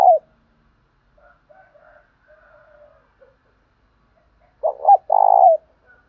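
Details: Spotted dove giving a 'thổ pha' style dueling coo. A short note opens, followed by faint scattered soft sounds. Near the end comes a loud phrase: two quick hoarse notes, then a drawn-out vibrating coo dropping in pitch.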